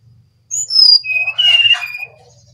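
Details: Brown-chested jungle flycatcher from Bali singing actively: bright whistled notes sliding down from very high, then a sustained mid-pitched whistle with a brief rough burst, faint low hum behind.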